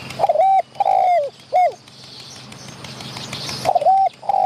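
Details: Spotted dove in the wild, drawn to a decoy and calling close by while driving off other wild birds: a soft cooing phrase of three notes with a drawn-out, dropping middle note, then a new phrase begins. Light bird chirps behind.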